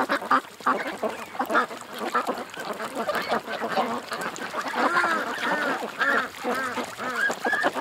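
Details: Ducks at a creek make rapid, repeated quacks with clear nasal, down-curving notes. The calls grow louder and more regular in the second half.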